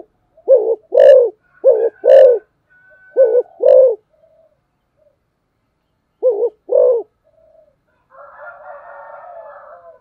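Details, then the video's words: Fast cooing of a spotted dove in an urging style: low, mellow doubled coos, short then longer, in three quick pairs, a pause, another pair, then a soft rustling noise at the end. "cu gáy tốc độ/ Cu gáy thúc gù"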